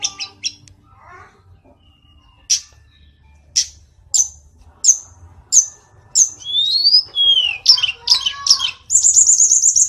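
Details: Sparse sharp high notes from a mountain tledekan, spaced about a second apart, building into swooping whistles and a fast, very high trill at the end.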